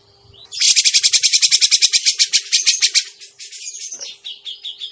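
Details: Trapping lure of a Grey-cheeked bulbul: a loud rapid rattling burst lasting over two seconds, fading into softer, wavering chatter notes.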